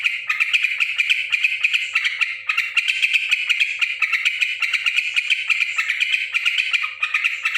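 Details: Loud, restless chattering from a yellow-vented bulbul described as noisy: raspy, squawky notes in quick succession, several per second, keeping an even mid-high pitch throughout with no gaps.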